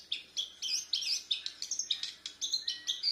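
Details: Bornean white-rumped shama, a young learner, delivering a fast string of high chirps, about three to four per second, bright and evenly spaced.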